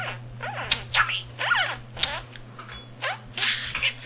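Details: Talking male budgie indoors, a pet that learned almost 300 words without being taught; squeaky rising and falling voice-like syllables in quick succession, some sliding whistles, constant low hum beneath.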